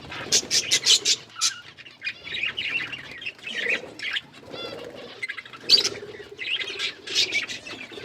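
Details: Budgerigars feeding on green food: bursts of high, scratchy chirps and warbling chatter alternating with soft, lower rustling sounds and short pauses.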